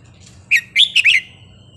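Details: Red-whiskered bulbul from the 'counting' competition line, giving a wild-style song: a soft faint note, then four bright, rapid whistled notes, the last one bending downward and trailing into a thin fading tone, with quiet low hum beneath.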